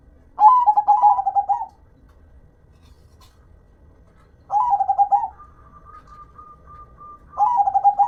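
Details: Local zebra dove, singing actively, gives three pulsed coo phrases several seconds apart. A faint, steady, thin whistle tone sounds between the second and third phrases.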